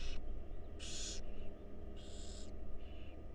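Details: Barn owl chicks in a wild nest box at a meal, loud harsh hissing screeches of about half a second, with a fainter shorter one after, over low hum.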